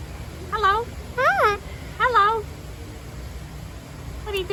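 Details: Galah cockatoo at a zoo park, sociable and getting head scratches while talking: three short, arched, harmonic syllables in quick succession over about two seconds, then a pause and one more at the end, with low background hum.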